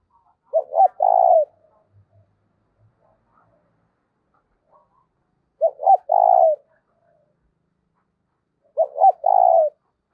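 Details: Caged decoy spotted dove, 'giọng thổ' voice, used to provoke wild doves: three evenly spaced phrases roughly every four seconds, each two quick hoots followed by a sustained throaty coo, in a quiet setting.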